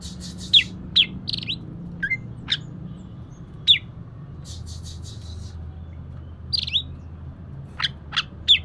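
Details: Scattered Oriental magpie-robin chirps, played as a lure to make another bird sing: brief, sharp descending notes and chips separated by gaps, against a low droning background.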